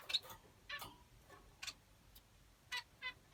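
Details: Short finch chirps, thin and buzzy, scattered irregularly about every half second to second, some fainter and more distant, with steady low background noise.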